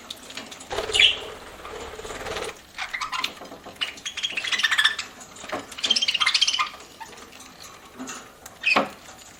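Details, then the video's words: Budgerigar chirping while eating as a pet: a rustling burst first, then busy stretches of fast chattering high chirps and buzzy pulses, ending with one sharp chirp. "PARAKEET EATING SOUNDS"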